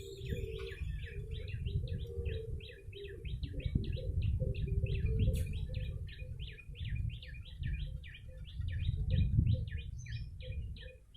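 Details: Persistent yellow-bellied prinia calling for bird luring: sharp, high, evenly spaced chirps at about four per second across eleven seconds, with a low hum and rumbling background noise.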